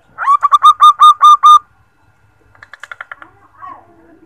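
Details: Female zebra dove call, recorded for use as a lure to get males singing: a quick run of about seven clear, evenly spaced whistled notes, followed by a softer, fainter series of short twittering notes.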